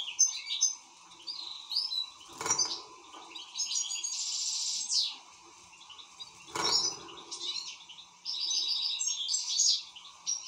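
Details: Excited European goldfinch singing a fast run of twittering, tinkling notes and buzzy trills, broken by two short thumps or knocks and a pause before the song resumes.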